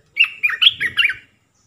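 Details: Olive-winged bulbul decoy song, three-phrase type played to lure wild birds; a bubbly run of five warbled, rising and falling notes in just over a second, clean and close.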